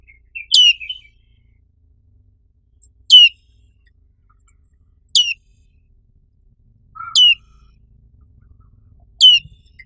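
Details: Five loud, high, down-slurred chirps from a black-capped white-eye, an Indonesian endemic, repeated about every two seconds in near silence.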